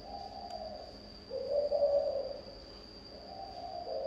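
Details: Low, soft cooing by a spotted dove in the thổ âm style, phrases rising from quiet to a fuller middle coo then easing off, over an unbroken high-pitched electronic hum.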